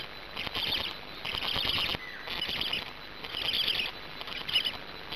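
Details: Black stork chick at a Gemenc, Hungary nest on camera, 10 May 2019 evening, having just swallowed a huge fish; hoarse high hissing bursts about once a second, separated by short quiet gaps.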